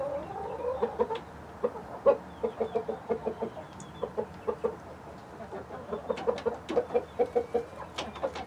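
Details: Backyard flock of hens and a rooster, including Light Brahma, Barred Plymouth Rock, White Leghorn and Rhode Island Red birds, clucking steadily in a series of short, low, rounded notes, several birds overlapping, with soft scratching and pecking clicks.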